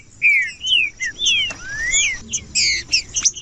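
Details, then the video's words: Green-winged saltator song, used by breeders to stir another saltator into singing: clear, slurred whistled phrases, some rising and some falling, given in quick succession with brief pauses between them. "CANTO PARA ESQUENTAR TRINCA FERRO COM TRINCA FERRO CANTANDO PARA ESQUENTAR TRINCA FERRO frio"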